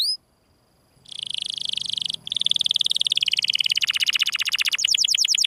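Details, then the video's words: Canary singing a fast trilled song: rapid high chattering notes about five per second, shifting into buzzy rattles and ending with sharp repeated chips, loud and close with a brief pause near two seconds. "gesekan kenari"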